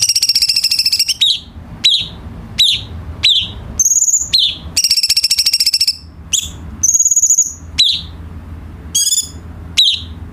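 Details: Tutor song of the cucak cungkok bulbul for training birds kept at home. Long rattling buzzy trills alternate with sharp falling whistles and clear high held notes, steady low hum underneath.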